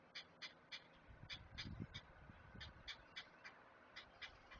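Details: Chicks of the great blue heron at a Chesapeake nest on a live camera, fed by an adult: repeated sharp, bright clicks, roughly three per second, with soft low rustling underneath.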